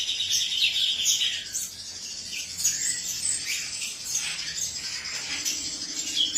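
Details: Male cucak cungkok singing: dense bursts of high, chirpy, twittering notes with short sweeping phrases, continuing almost without pause, over a steady high hiss.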